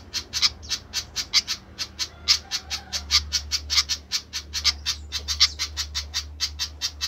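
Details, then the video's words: Agitated flycatcher repeating clicky, high-pitched chip notes in a steady rapid stream, roughly four each second, without pause. "ADA APA DENGAN BURUNG SIKATAN INI KOK RIBUT"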